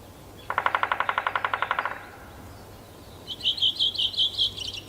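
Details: Male three-toed woodpecker drumming on trees in warm late-May weather (25 May 2018) in a Yekaterinburg forest park, its new nest hole already excavated; a rapid roll of about fifteen even strikes over 1.5 seconds, later followed by another bird's high trilled song.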